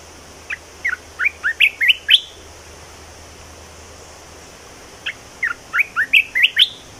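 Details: Red-whiskered bulbul song with newly learned phrases: two bright strophes of rapid, upward-sweeping whistles, each about seven notes and growing louder toward the end, separated by a pause of nearly three seconds over a soft hiss.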